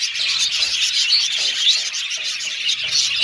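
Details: Budgerigars in an aviary, quick rhythmic chirps and whistled twitters over a dense high warbling background.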